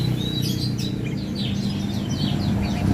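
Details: Javan tesia singing actively, with a run of high, thin, rapid chirps and short whistled slurs, some rising and some falling, over a steady low rumbling hum.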